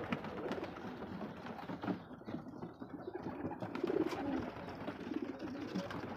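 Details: Shirazi pigeons (Columba livia) give soft, low, throaty coos against a murmuring indoor background.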